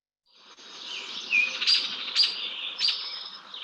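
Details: Small songbirds mobbing an Eastern screech-owl in Vermont, a recording played as an example: a dense, harsh buzzy chatter rising in loudness, with a few sharp high notes punching through the scolding.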